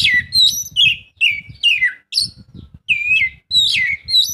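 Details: An Oriental magpie-robin (Copsychus saularis) sings a varied run of loud, sweet whistles and slurred falling notes in quick phrases over faint low rumbling, used as a lure to get lazy magpie-robins singing.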